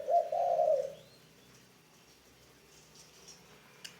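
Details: Decoy spotted dove in training gives one short, low, rough coo at the start, then near silence with faint background noise.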